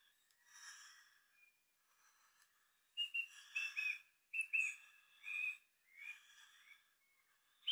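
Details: Bellbird in June 2023 in the Maungakotukutuku Valley, Kapiti, New Zealand: clear, ringing, bell-like whistled notes in short bursts, some sliding upward, after a softer, breathy start.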